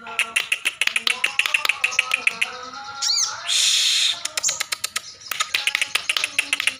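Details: Sunbird, known locally as sogok ontong, in 'gacor ngekleper' song: rapid sharp ticking notes repeated several times a second, broken by a short rising sweep and a dense buzzy high trill near the middle.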